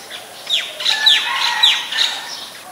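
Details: Oriental magpie-robin song from Ubon Ratchathani, Thailand, 28 October 2021, taken on a Nikon P1000: loud, clear whistles sliding steeply downward, about five in quick succession, with lower sustained notes between them.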